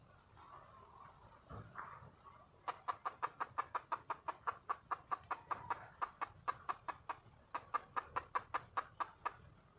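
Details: Wild red junglefowl hen calling to attract a male: long steady series of sharp, rhythmic clucks, roughly four per second, continuing for about seven seconds after a brief soft sound.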